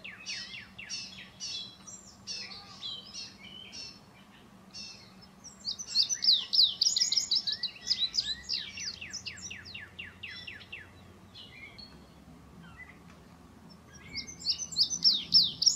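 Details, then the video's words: Indigo bunting, not yet fully molted, visiting shortly after arriving in the area this week, sings a run of high, buzzy, paired notes mid-way. Dense rapid ticking chirps from other birds fill the rest, with faint low background noise. "Indigo Bunting Pays a Visit with a Song"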